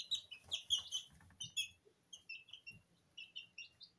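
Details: Young Sablepoot bantam chicks, Porcelain and Lemon varieties aged two weeks, peeping while rolling in their feed indoors. Bright, thin chirps come rapidly at first, then thin out into scattered softer peeps, with light rustling.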